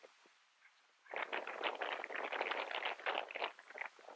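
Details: A Northern jacana (subspecies violacea) at Imías, Cuba, in August 2017 bursts into a harsh, rapid chattering of scratchy notes, several per second, after a quiet second of faint background.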